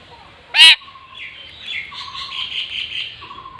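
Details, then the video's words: Pet parrot giving one loud, harsh, high squawk, followed by softer raspy chatter and faint steady tones. "Parrot Talking Everything"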